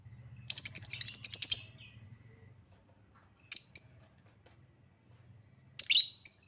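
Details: Lovebird lure to get lovebirds singing: a fast rattling burst of shrill notes, a pause, then short sharp high chirps and a brief harsh squawk.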